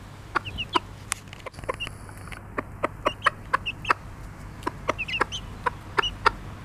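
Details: Pekin bantam (Zwerg-Cochin), bobtail-coloured mother hen with her chicks: high, thin downward-sliding peeps from the chicks come singly and in short pairs, over rapid sharp tapping clicks scattered throughout and a steady low hum.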